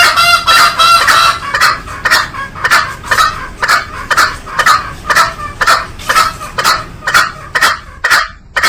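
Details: Green junglefowl giving harsh, buzzy calls repeated about twice a second, each a short rasping burst with a brief clear ringing note at the start, then fading toward the end.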